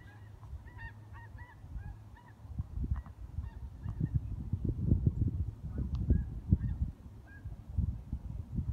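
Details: Snow geese recorded on 21 January 2017, giving short nasal honks with stacked overtones, several in quick succession over the first seconds, then scattered fainter honks, all over heavy low rumbling background noise.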